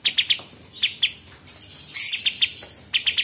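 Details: Sooty-headed Bulbul, used as master audio for murai batu, cucak ijo and kacer: short clusters of bright chirps separated by brief gaps, with a hissy high twitter in the middle.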